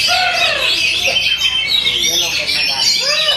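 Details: Oriental magpie-robin in a dense, continuous song of high, rapid whistled and twittering phrases, full of sweeping notes. Lower arching sounds resembling human voices run beneath the song.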